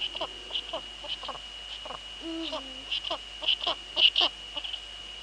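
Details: Netherlands, 2 February 2013, 19:15: Eurasian eagle-owl female on the nest with the male nearby. A low harmonic call stepping slightly downward is heard at about two seconds. Soft clicks come before it and louder taps after, over a constant high tone.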